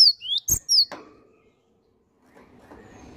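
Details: Cinereous tit (gelatik batu) giving a short burst of high, sliding whistled notes, then falling silent while a soft low murmur of background noise returns.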